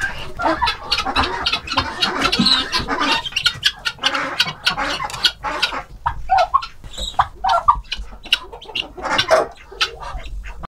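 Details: Helmeted guineafowl in the wild give harsh, rasping, rapidly repeated calls that overlap into a noisy chorus.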